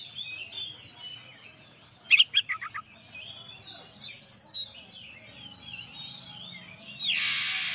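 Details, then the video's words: Oriental magpie-robin (kacer) song: a quick burst of sharp notes, then a clear high whistle and a harsh rasping phrase, over steady chirping from other birds. "suara kacer juara"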